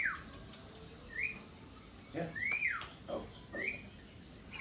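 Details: Persistently singing Javan myna (jalak kebo) giving rising and arching whistles about once a second, with a few low harsh bursts between them.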